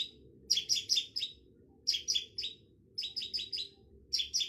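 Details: Long-tailed shrike giving short groups of three or four rasping chirps, each group about a second apart, set against a steady low hum.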